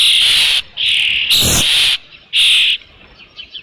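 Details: Osprey at a nest holding a fish, recorded on a nest camera on 3 June 2018 near 5 PM; a few loud, sustained high whistled squeals with a brief broadband crackle between them.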